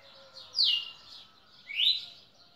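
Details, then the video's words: Red-cowled cardinal in Pernambuco, Brazil, recorded on 10 December 2017, giving two bright slurred whistles, the first sliding down and the second sweeping up, about a second apart. "galo campina"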